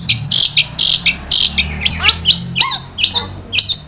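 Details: Captive long-tailed shrike lure song used to stir other shrikes to sing: loud rasping bursts followed by short downslurred whistles, delivered in quick irregular succession.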